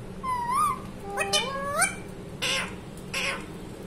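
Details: A pet talking parrot gives speech-like sliding vocal phrases, several rising and falling tones in quick succession, followed by two short harsh bursts near the end.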